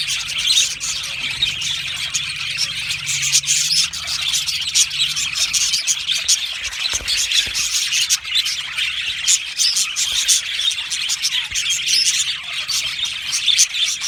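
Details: Australian budgerigar colony in full chorus, continuous high chirping and warbling from many birds, with brief louder bursts and a soft low drone in the background.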